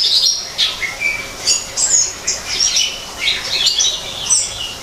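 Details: Greater green leafbird in a man-made forest aviary, giving high thin whistles, a long level note and scratchy twittering phrases in loose, uneven bursts.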